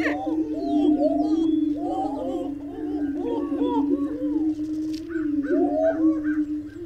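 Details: Sounds of a great steppe grouse: a continuous low droning tone with overlapping hooting and cackling phrases, and softer higher chatter near the end.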